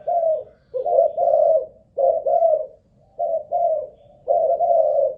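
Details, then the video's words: Caged spotted dove of Malaysian stock, a ground decoy during a stamina test, sings four mellow coo phrases, each a short note followed by a longer rolling coo, spaced about a second apart. "Cu Gáy Mồi Đất || Test nước bền chim cũng thấy khá ổn"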